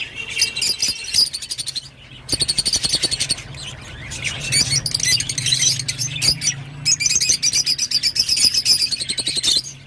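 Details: Rosy-faced lovebird chattering: long strings of scratchy squeaks broken by a couple of short pauses, closing in fast rattling pulses.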